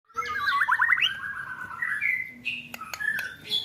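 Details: White-rumped shama training material for contest birds, rapid 'roll tembakan' style: a fast chattering trill around mid pitch sliding into a long wavering whistle, then sharp clicks and short high notes.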